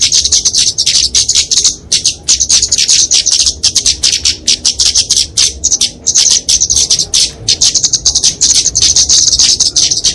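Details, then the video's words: Kemade flowerpecker in fighting song, used for training and luring small songbirds: relentless very high, rapid, buzzy ticking trills with only short breaks. "Kicauan Kemade Tarung Untuk Masteran&Pikatan Burung Kecil"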